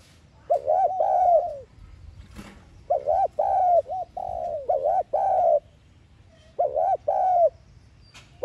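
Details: Spotted dove lure bird cooing in the thúc gù style, used to stimulate caged doves to coo: low hollow phrases of two or three quick arched coos ending in a longer falling coo, repeated about every two seconds, with brief pauses.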